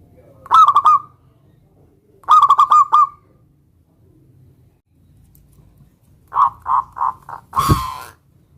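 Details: Local zebra dove luring a rival to answer: two rippling coo phrases, followed by a looser run of separate notes and a loud thump-like noise.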